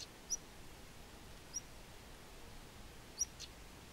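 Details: European stonechat (Saxicola rubicola) calling on the Isle of Wight: three thin, high, short whistled notes about one and a half seconds apart, over a steady low outdoor hiss.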